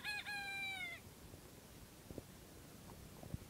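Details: Bantam rooster crowing once: a short, harmonic-rich crow lasting about one second, strong at the start and then held and gently falling, followed by a few faint knocks and handling noises.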